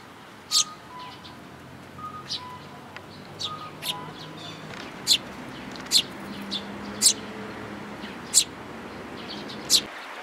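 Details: On 18 May 2018, sparrows accompanied by a chick make piercing single chirps spaced roughly a second or more apart. Softer chatter and faint tonal notes sound in between, with a low background drone.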